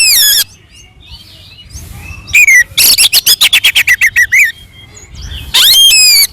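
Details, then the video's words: Oriental magpie-robin fighting song meant to rouse rival birds into answering: sharp descending whistles, then a rapid run of about a dozen clipped, buzzy notes, ending with another loud whistled burst. "SUARA BURUNG kacer gacor NGEPLONG TARUNG"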